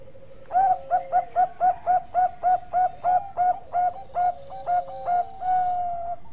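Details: Zebra dove, Bangkok strain, singing strongly as a master song for training: a long run of about fifteen short, bright coos at a brisk, slightly uneven pace, ending in a sustained coo, over a soft, steady lower hum.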